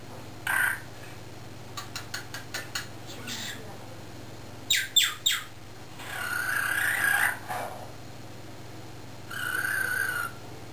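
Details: Pet cockatiels kept caged indoors while owners work outside in the driveway; a sharp squawk, then a run of quick clicks, a few loud harsh squawks, and two longer warbling, whistled phrases with a small-room echo.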